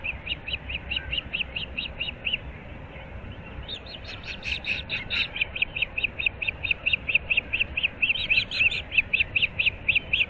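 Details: At an osprey nest in Naples, Florida, early on an April 2024 morning, ten seconds of rapid, high piping chirps that come in bursts, speed up and grow louder toward the end, with a low steady rumble beneath.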